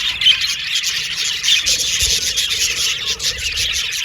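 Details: Australian budgies kept as pets produce a steady high warbling chatter, with a couple of short whistled notes standing out early on.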